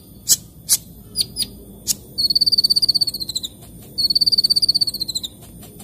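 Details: Morning sunbird song: several separate sharp high chips, then two long buzzy trills of rapid notes that drift slightly downward, each lasting over a second.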